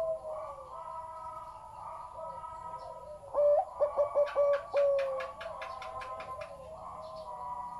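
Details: Zebra dove described as having a big, deep voice, singing a burst of loud, rapid, staccato cooing notes pulsed in quick succession midway through. Softer chirping from other birds fills the background before and after.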